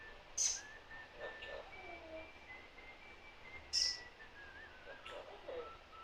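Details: African grey parrot making steady whistled tones that rise and hold at mid pitch, with sharp high clicks near the start and around four seconds, plus soft low murmurs between them.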